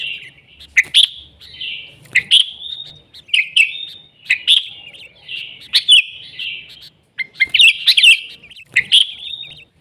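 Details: Sooty-headed bulbul singing energetically, recorded in nature as a tutor and lure: a busy stream of short bubbly whistled phrases, almost continuous, with brief gaps between bursts.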